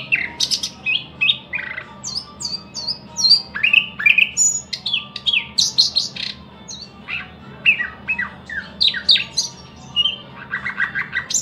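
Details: Long, continuous thrush nightingale song of loud varied phrases: swooping whistles, sharp clicks, repeated note groups and a closing fast rattle, delivered almost without pause over a faint low hum.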